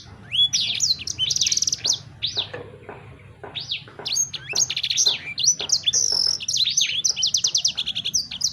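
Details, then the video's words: Sanger bird delivering an energetic song mixing clear high whistles, buzzy rattling trills and scratchy chirps, in irregular bursts over a steady low droning background. "Burung Sanger Anda Bunyi Seketika"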